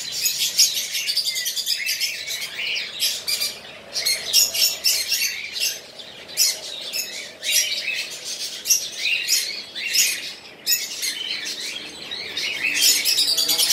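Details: Pet conure, a parakeet-family bird, producing continuous high-pitched screechy chirps and squawks in irregular rapid bursts, louder toward the end.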